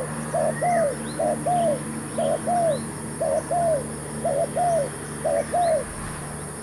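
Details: Spotted dove decoy, a newly brought bird, calling as wild doves are lured toward a new trap: steady series of mellow coo phrases, short note pairs then a longer arched coo, with a brief rising whistle from another bird early on.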